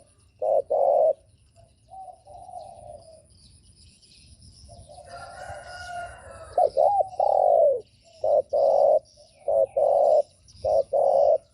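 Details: Spotted dove coos used to provoke other doves: short bursts and longer steady hollow coos repeated roughly every second, broken midway by soft murmurs and a brief rooster-like crow in the background.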